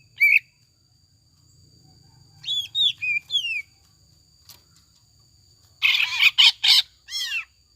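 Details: Captive-style lure song of a greater green leafbird, gacor and ngekek with tengkek buto fill-ins: a lone sharp note, three swooping downslurred whistles, then a cluster of harsh bursts and a final slurred call.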